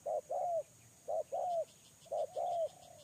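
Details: Three clear two-note coos from a spotted dove kept for luring, a quick short note and a longer falling one, spaced about a second apart.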